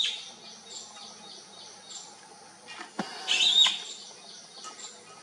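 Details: A bee-eater looking for its flock utters a buzzy, rolling call after a sharp knock, with faint calls scattered before and after.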